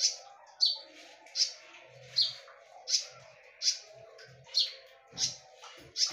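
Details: Sharp konin notes used to lure birds: high, bright chips spaced under a second apart, with soft low thumps in the background.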